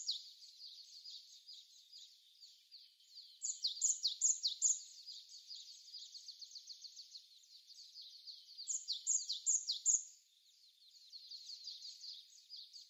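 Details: Japanese tit in a snowy, windy Korean winter landscape, 16 February 2020, captured by smartphone: steady stream of high thin chips with louder bursts of rapidly repeated notes around the middle and near the end.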